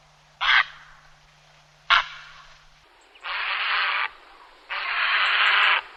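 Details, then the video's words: Grey heron calling, a sound used to lure birds when hunting: two brief rasping squawks, then two longer, drawn-out hoarse screeches of about a second each, with a low hum early on. "Grey Heron call sound"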